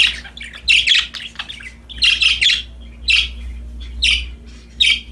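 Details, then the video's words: Cheerful pet budgerigars produce loud raspy chirps and squawks in bursts about once a second, with a steady low hum in the background. "Happy Parakeets Chirping Sound #budgies Singing, Playing"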